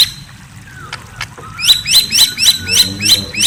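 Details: White-rumped shama at night, giving a quick string of high, bright chirps about four per second after a quiet start with a faint thin whistle.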